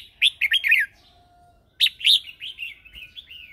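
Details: Red-whiskered bulbul lure bird singing in morning training to call others: two loud bursts of fast bright warbling notes separated by a short pause, ending in a softer trailing phrase.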